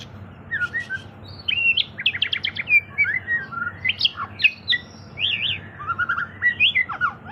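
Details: White-rumped shama in full, vigorous song, used as a lure to prompt other birds to sing: varied whistled phrases, sliding notes and rapid trilled bursts in quick succession over a steady low background hum.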